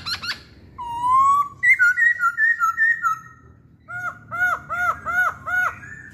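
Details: Chinese hwamei singing: a rising whistled note, a series of clear two-part whistles, then rhythmic repeated looping phrases about three per second, loud and melodious, with low hum behind.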